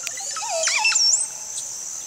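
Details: Montezuma oropendola in Costa Rica, singing while pivoting around the branch it hangs from: a burst of liquid gurgling notes with sweeping, sliding whistles rising and falling, ending in a high upslurred note, over a steady high insect hum.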